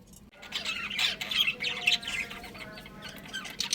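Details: Budgerigars, a breeding pair in a family colony, chirping; continuous overlapping warbled chatter and sharp high chirps from several birds, rapid and irregular, with soft background clatter.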